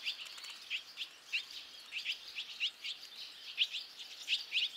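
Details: Fledging barn swallow chicks, a brood of five leaving the nest together; quick high chirps scattered through the clip, some doubled, against a faint hiss.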